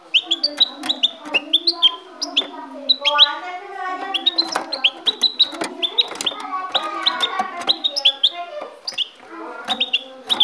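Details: Caged goldfinch from Ecuador pouring out a fast, continuous jumble of sharp high chips and short whistled notes, with lower tonal warbles woven underneath throughout.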